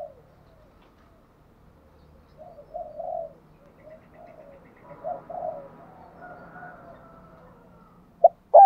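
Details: Spotted dove lure recording of 'thúc gù' and 'gáy gọi' coo styles, used to stimulate captive doves being trained to coo. Soft, low, rounded coos come in short bursts midway, with a brief loud knock near the end.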